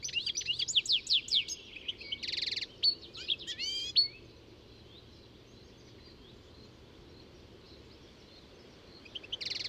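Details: European goldfinch in song: a rapid tumble of high, sweet, twittering notes with a harsh buzzy note woven in for about four seconds, then near silence, and a short buzzy phrase returning at the close.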